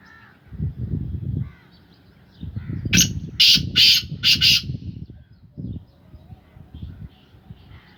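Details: Kept black francolin of the Sindhi strain, owned as a pet: a harsh, grating call of five loud rasping notes in quick succession over about two seconds, with low rumbling background noise before and after.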